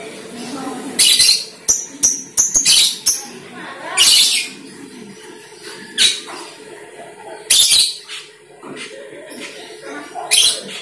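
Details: Asian glossy starling lure recording meant to draw in the same species. Loud, harsh squawks and rapid clicking notes come in irregular clusters, with short pauses between the bursts.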